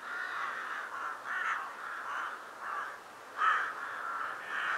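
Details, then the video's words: Winter flock of rooks at a Vienna cemetery assembly site before dusk; a steady chorus of rasping caws with one louder, nearer call standing out near the end. "saatkrähen-spektakel / friedhof ottakring - flocks of rooks at cemetery ottakring"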